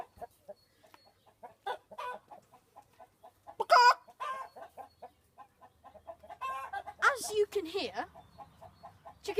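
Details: Chickens, unimpressed after a man imitates a danger call, give soft, scattered clucks mixed with a few louder squawks, while the man talks.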